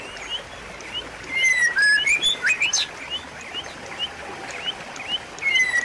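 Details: White-rumped shama song meant to restart a silent bird: soft upslurred whistles, then a loud run of varied slurred and steeply rising notes, fading back to sparse whistles.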